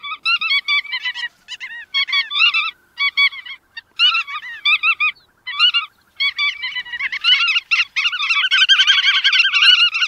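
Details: Bar-tailed godwit calls begin as spaced bursts of short, nasal notes and build into a dense, continuous chorus of overlapping callers in the last seconds.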